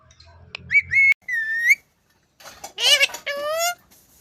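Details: Pet Indian ringneck parakeet, a talking parrot, live: two flat sustained whistles, then after a pause a rising, buzzy, speech-like phrase ending in a steady whistled tone, with faint clatter at the start.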